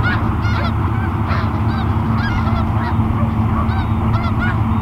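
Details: Snow geese at Garry Point Park, Steveston, British Columbia, Canada, on a Monday afternoon, 21 January 2019, upset after a noisy hovercraft woke them: scattered nasal honks from several birds over a loud, steady low engine rumble.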